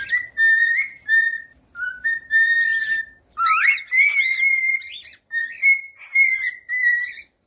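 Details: A cockatiel whistles a melody of level, clean tones linked by short glides, with one burst of wavering, buzzy notes mid-phrase; quiet background throughout.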